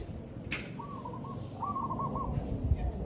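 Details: A zebra dove, captured in a real recording, utters two staccato trilled coos in quick succession, with a sharp click before them and low knocking noises underneath.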